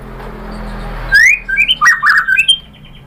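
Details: Lure song of a white-rumped shama meant to make other birds answer. After a second of low background noise comes a loud rising whistle, followed by rapid warbled, looping phrases.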